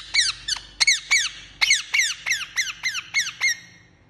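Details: A parrot gives a run of about a dozen squeaky chirps, each dropping steeply in pitch, spaced roughly a third of a second apart, over a soft low background hum.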